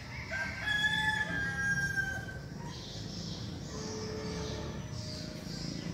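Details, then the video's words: Red junglefowl rooster, seven months old, kept as a decoy bird in Bình Phước, Vietnam, described as crowing often; one clear, strong harmonic crow of about two seconds, ending abruptly, followed by quieter background noise. "siêng gáy gà 7 tháng tuổi, gà mồi"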